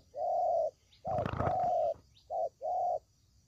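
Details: Spotted dove calls as a trapping lure: a few smooth, level coos, one overlapped by a brief rustling noise burst, ending with a short note and longer coo.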